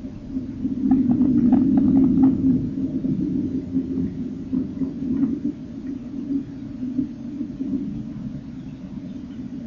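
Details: Nestling common kingfishers being fed, 30 April 2014, as eyes open and first feather sheaths drop; a strong low purring drone with quick rattling ticks for three seconds, then a softer wavering hum continues.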